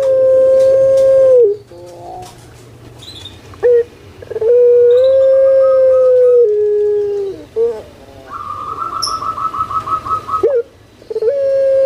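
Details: A pet puter pelung dove from Java repeats long level coos, each stepping down at its end, separated by short rising notes and a fast rattling trill; recording meant to encourage silent doves to call.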